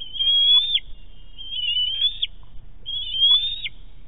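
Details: Bald eaglet squealing at its Big Bear nest on 7 May 2018 during a fish hand-off from the adult female. Three clear, high squeals, each rising and ending abruptly, are spaced about 1.3 seconds apart.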